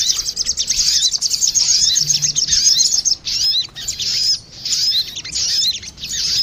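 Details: A female and a male crested jay answering each other, recorded as a lure: rapid, sharp, high twittering, continuous at first, then in short bursts of about a second.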